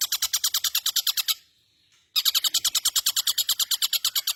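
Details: Caged long-tailed shrike in full song: a rapid, regular stream of harsh, buzzy repeated notes, about six per second, broken by a one-second pause before resuming.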